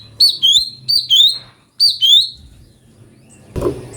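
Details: Brown-breasted bulbul phrases used as a magpie-robin training master: three pairs of clear, slurred notes that dip and level off, then quiet, ending with a short knocking clatter.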